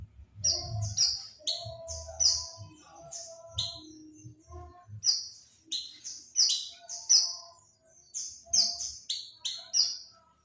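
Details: Oriental white-eye lure call to attract birds: clean, high, downward-slurring chirps delivered in rhythmic groups of two to four, with short breaks between phrases.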